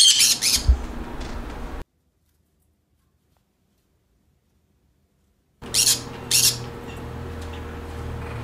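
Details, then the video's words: Green conure calling, presented as creating a happy mood: bursts of grating, harsh squawks at the start and again after a stretch of total silence, over some low background rumble. "Green Conure Sounds. Creates Happy mood"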